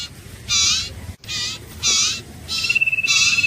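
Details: An iora gives separate bursts of harsh, rasping chatter about half a second apart. A thin, steady whistled note enters near the end, over a quiet background.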